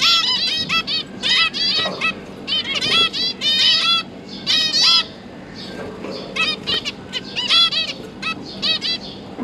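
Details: Captive zebra finches, two parents busy feeding their three newly fledged juveniles that have just left the nest; dense bursts of nasal, harmonic-rich chirps and buzzy calls in quick clusters, several birds calling over one another, with a low steady hum beneath.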